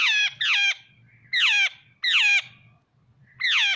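Jungle babbler giving harsh, nasal squawking calls in short bursts, five in under four seconds, each falling in pitch; low rumbling noise in the background.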